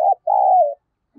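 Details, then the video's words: Single phrase from a spotted dove calling to lure wild doves: a brief hollow coo, then a longer smooth note that slides slightly downward. A faint low sound follows. "Tiếng cu gáy kích bổi hiệu quả, cu gáy Gọi. cu gáy thúc gù kích bổi"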